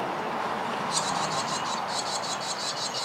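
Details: Barn swallow nestlings give rapid, thin, high-pitched begging chitters, about five a second, over steady background hum, from a nest under a grocery store awning as parents fly in with bugs; the young gape whenever a parent passes.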